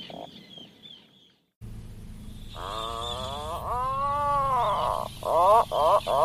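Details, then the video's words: Low, growling moan from an Atlantic puffin that swells and sags in pitch, followed by a few abrupt, clipped grunts at the end. A soft high hiss and faint rumble run underneath. "SUARA ANEH BURUNG ATLATIC PUFFIN"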